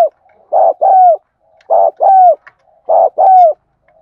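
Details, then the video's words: Spotted dove used as a lure bird, thúc gù gáy gọi calling: three evenly spaced phrases, each a short clipped coo then a longer mellow coo sliding down at the end, loud and free of other sounds. "Tiếng Chim Cu Gáy Thúc Gù Gáy Gọi Mới Nhất || Chim Cu Gáy Mồi"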